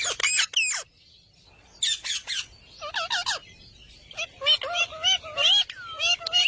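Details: Green parrot giving bursts of harsh, rasping squawks alternating with shorter whistled notes that bend up and down, the phrases separated by pauses of about a second.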